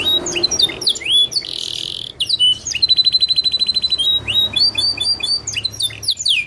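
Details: Rich canary song used to coax trainee canaries into imitating it: varied whistled slides, a brief harsh rasping burst, then a rapid pulsed trill and a string of quick rising notes in a lively, changing sequence.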